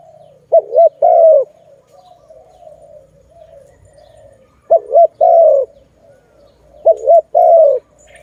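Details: Malay dove, the zebra dove, recorded while doves are trapped and released; three loud phrases about two seconds apart, each a warbled double note and a long falling coo, over gentle background cooing.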